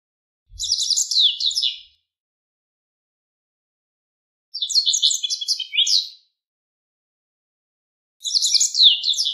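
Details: A Japanese wagtail (Motacilla grandis), a riverside bird, sings three bright, high twittering phrases, each about a second and a half long, spaced roughly four seconds apart, with quiet between them.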